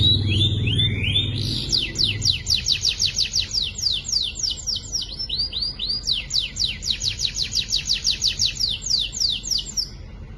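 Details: Young canary song: long runs of rapid, sharply descending chirped notes repeated in quick rhythm, with a low hum heard early on.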